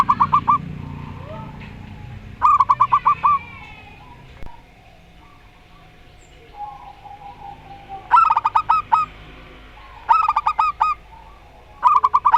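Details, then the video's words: Zebra dove, local bird of the Rondo Semoyo song style paired with a strange-voiced one: short bursts of rapid staccato coos, first close together, then a long quiet gap, then three more bursts about two seconds apart. "Perkutut Lokal Rondo Semoyo VS Perkutut Suara Aneh"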